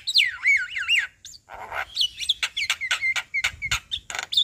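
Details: Vigorous Javan myna outside a house by day, showing off its repertoire: looping, wavering whistles rising and falling, followed by a rapid string of sharp clicks and short whistled notes.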